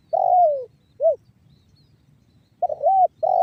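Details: Spotted dove calling in the 'banggo bocor' style to coax other doves into calling. A long descending coo and a short closing note are followed, after a pause, by the wavering start of a new phrase.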